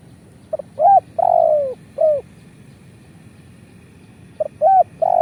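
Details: Spotted dove calling as a trapping lure: one full phrase of soft pips, a hooked coo, a long falling coo and a closing short coo, then a new phrase beginning after a pause.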